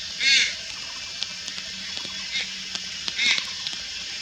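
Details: Young Malayan night heron recorded in Lugu on 2022/08/04, giving two loud rasping nasal calls about three seconds apart, with faint soft notes between and constant shrill insect buzz behind.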